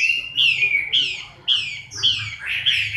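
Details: Moulting Chinese hwamei recorded in October 2015 gives clear whistled notes, each sliding downward, repeated about twice a second in a lively run.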